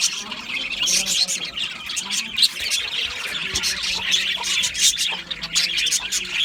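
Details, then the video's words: Aviary budgerigars sing in a chorus of high, scratchy twitters and chirps, with occasional louder squeaks over a faint low hum. "Beautiful Budgie singing and chirping sounds | Budgie parakeets sounds"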